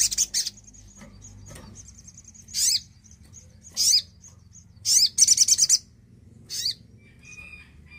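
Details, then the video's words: Javan cochoa song for prompting silent birds: a long, thin, level high whistle broken by loud sharp slurred notes and one quick rattling trill, with gaps of near-quiet between. "sogon gacor pancingan pintar burung bahan & macet bunyi"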